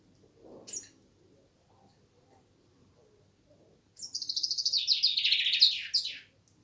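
A common chaffinch gives one bright, rattling song phrase that tumbles downward and ends in a quick flourish, after a single high chip and a soft low thud.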